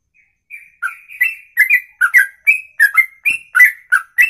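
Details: Ropelan song from a songbird, praised as an exceptionally long run in one breath of more than two minutes; starts softly, then strong whistled notes tumble faster, roughly three per second, mixing rising and falling slurs.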